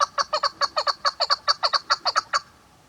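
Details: Female chukar partridge giving a quick, even series of about fifteen hoarse, clucking chuck notes, some paired, over two and a half seconds; nothing else heard.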